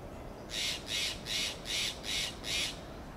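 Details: Steller's jays giving contact calls in Monterey pine forest in Del Monte Forest: six harsh, raspy squawks repeated evenly about every 0.4 seconds, loud and broadband, over a quiet background.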